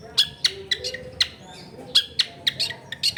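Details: Long-tailed shrike song meant to prompt silent shrikes to join in, recorded in a crowded neighbourhood: sharp, high staccato notes given in irregular pairs and singles, with background noise.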